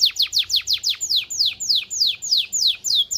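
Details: Singing canary meant to excite mates: steady series of sharp, downward-sweeping high whistled notes, about three to four per second, slowing slightly.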